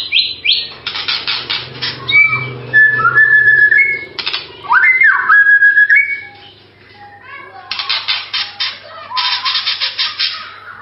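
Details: Varied whistled phrases from a White-rumped shama, some sliding upward, broken by loud harsh chattering bursts, with a steady low hum in the background.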